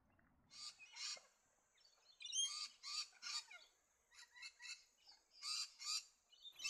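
An Australasian swamphen gives harsh, screechy bursts in uneven runs, two to four per second, over a thin steady high hiss.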